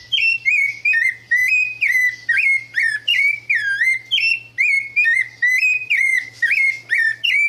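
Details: A wild rufous-bellied thrush in the caatinga backcountry of northeastern Brazil, after rains, sings loud, clear whistled phrases, about two each second, with a faint low hum beneath.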